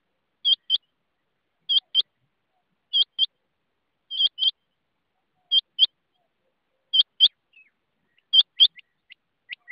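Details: Rain quail repeating a sharp, ringing two-note call about every 1.2 seconds, the paired notes high and metallic, ending with several softer, thinner notes; no other sounds.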